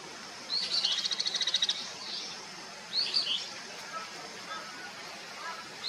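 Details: Bull-headed shrike: a rapid chattering burst of sharp, high notes, followed by shorter scratchy phrases spaced a second or two apart, with faint background hum.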